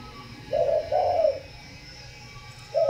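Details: Captive-bred spotted dove giving a soft two-note coo, the second note longer and fuller, followed by a pause and the start of another coo. Low background hum is heard throughout.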